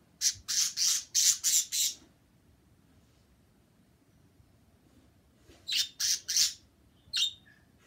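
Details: Pet bird chirping indoors: harsh, buzzy, high squawks in a rapid run of about six notes, a pause of several seconds, then another quick burst of three and a single final note. The room is otherwise quiet.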